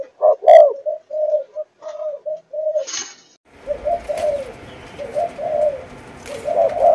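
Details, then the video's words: Spotted dove of the Malaysian line, four months old, in the chiêu gù chạy cooing style: soft low coos in short phrases, then a louder run of throaty coos over a steady hiss, with one brief rustle. "Cu Gáy Malaysia Dòng Chiêu Gù Chạy 4 Tháng Tuổi"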